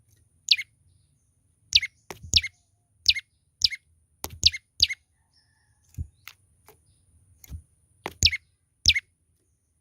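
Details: Young olive-backed tailorbird in full voice, repeating piercing, down-slurred chirps in doubles roughly every second over ten seconds, with frequent sharp ticking knocks in between.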